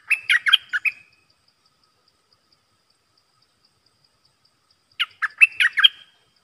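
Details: Red-whiskered bulbul decoy of the dok taeng type, 12 September 2021, singing to attract wild birds: two short phrases of five or six bubbly whistled notes about four seconds apart, with silence between.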